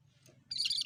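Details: Cucak kerinci bulbul singing energetically, used as a lure sound for birds: a half-second burst of rapid, chattering high notes that begins abruptly after quiet, over a low steady hum.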